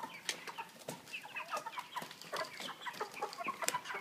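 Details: Broiler chickens weighing 3 kg in a cage with a pan feeder produce dense, overlapping short chirps and clucks, punctuated by metallic clicks from the cage.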